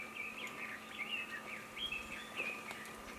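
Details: Red-billed leiothrix bathing and singing, Nagasaki Prefecture, Japan, 22 April 2019: a soft, continuous warble of short, sliding whistled notes. A constant low hum and a noisy background sit underneath.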